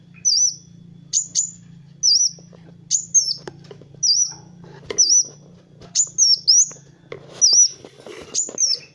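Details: Kowul sunbird singing as a masteran recording to train other birds: loud, very high, thin whistled notes with a quick downward twist, repeated roughly once a second, some doubled, over a low steady hum.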